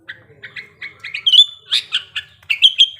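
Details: Sooty-headed bulbul in breeding condition, played to make birds sing quickly; a run of quick chirps building into loud, clear whistled phrases.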